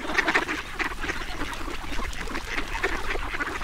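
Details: A duck while being fed: a short burst of loud, choppy quacking and squeaks at first, then continuing rapid chattering with a strong low rumble beneath.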